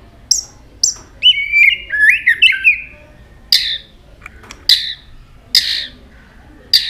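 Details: Tail-flicking White-rumped shama giving varied notes: high sharp chips, a short warbled whistled phrase, then several harsh, raspy bursts spaced about a second apart.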